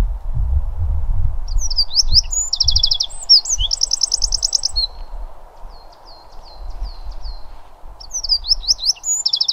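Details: A Eurasian wren in the Pilica valley, Poland, gives loud, very high bursts of rapid trills and sharp ticking notes in short phrases, over a low wind rumble and a steady background hiss.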